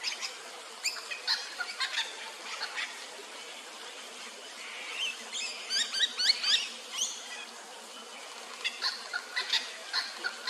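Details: Little wattlebird in a standoff with a noisy miner on Darug Country, Sydney, gives harsh, scratchy, rasping chattering calls in quick uneven bursts, with other sharp bird chatter mixed in.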